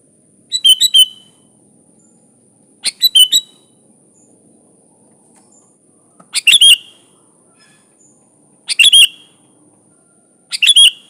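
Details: A sooty-headed bulbul sings five short bursts of chirpy, liquid notes at irregular intervals, each burst two or three notes long, against a near-silent background.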